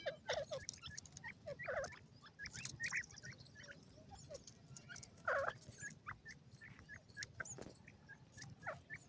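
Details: Several francolin chicks, named as golden and grey francolin babies, give many short, thin peeps in quick irregular runs across the clip. Some calls are louder clustered notes, and soft low hum sits beneath.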